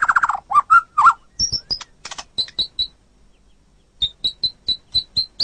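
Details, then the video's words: White-rumped shama song from a tutor recording for training competition birds: a few low warbled notes and clicks, then high, thin, sharply pitched chirps repeated about twice per second after a brief pause. "Ocehan Suara Burung Murai Batu"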